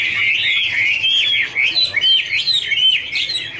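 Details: Chinese hwamei (Garrulax canorus) singing while dancing in a duet: rich, fast warbled song of slurred whistled notes, rising and falling loops repeated without pause.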